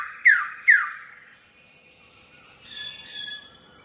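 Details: Wilson's bird-of-paradise calling in West Papua during a late July to mid-August trip: two sharp, descending slurred notes in quick succession, then a pause and softer distant chatter, with a constant high-pitched insect drone behind.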